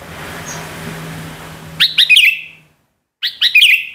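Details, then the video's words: A female greater green leafbird ngentrok: after a stretch of low background hum, two short bursts of quick, high chirping notes, each burst a cluster of four or five sharp rising strokes. "BURUNG CUCAK HIJAU BETINA NGENTROK"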